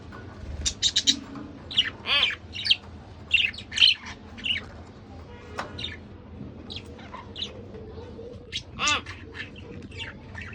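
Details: A pair of budgerigars calling steadily: irregular bright chirps and warbled squeaks, roughly one burst a second, some with ringing harmonic arches, over a low background hum.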